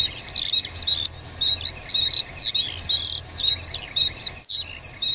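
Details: Cinereous tit in the wild in full, lively song: rapid high chirps and slurred whistles run together in busy phrases with short breaks, one abrupt gap near the end, soft insect buzz in the background.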